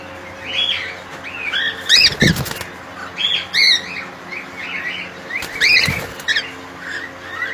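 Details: Cockatiels kept in a colony give arched, whistled squawking calls in short bursts, several birds overlapping, with sharp wing-flapping and knocking noises breaking in twice.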